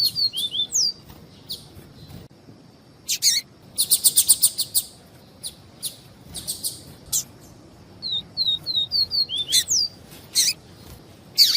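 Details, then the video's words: Double-collared seedeater giving viviti song with female calls to stimulate males; falling slurred whistles, a fast rattling series of sharp ticks, scattered buzzy chips, then a run of five evenly spaced descending whistles. "PAPA CAPIM VIVITI E PIADO DE FEMEA"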